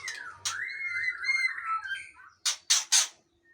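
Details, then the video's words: Aceh white-rumped shama with a long tail: one drawn-out, slightly wavering whistle slides downward over about a second and a half, followed by three short, harsh, noisy bursts. "Murai Aceh # Ekor Panjang"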